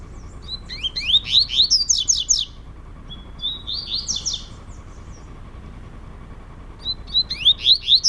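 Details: Two caged male double-collared seedeaters indoors in Brazil, competing in song; quick bright rising whistled notes in rapid strings, a buzzy trill midway, then a fresh burst of sweeping whistles near the end.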